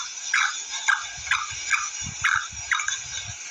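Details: Black francolin hen giving a run of six brief, rasping, downward-sliding notes at uneven intervals, backed by a constant shrill hiss and faint low knocking.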